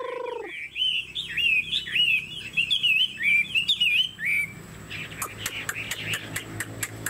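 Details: Caged Chinese hwamei with fanned tail singing a busy run of twisting whistled notes for several seconds, preceded by a brief low tone and followed by sharp clicking sounds.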